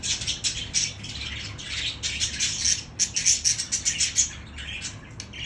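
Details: Budgie stimulation song: busy high warble of squeaks, sharp chirps and rattling notes in quick bursts, loudest in the middle section, over a quiet low hum.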